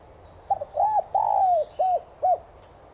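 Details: Spotted dove, subspecies tigrina, cooing meant to set caged doves cooing: a quick double note, a rounded coo, a long drawn descending coo and two short arched coos closing the phrase, against soft background hiss.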